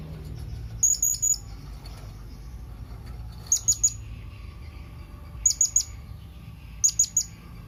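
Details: Blue-crowned hanging parrot calling its companions. Short groups of two to four sharp, thin, high chips, heard four times at irregular intervals over a low background rumble.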